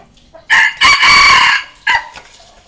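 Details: A junglefowl decoy rooster gives one crow used for training decoy birds and calling wild junglefowl: a short note, a long strained middle phrase, then a clipped last syllable. The background is otherwise silent.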